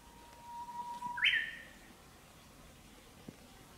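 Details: Japanese bush warbler in the countryside in spring, breeding season: a sustained low whistled note held for about a second, then a sudden rising, ringing two-part flourish, then quiet apart from a single faint click.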